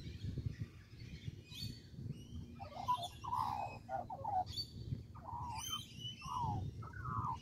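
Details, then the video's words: Australian magpie on a tree in Kings Park, Perth, Western Australia: broken phrases of soft, liquid warbling notes from two seconds onward, with high-pitched chirps of other birds and steady low background rumble. "Australian magpie on tree in Kings Park in Perth"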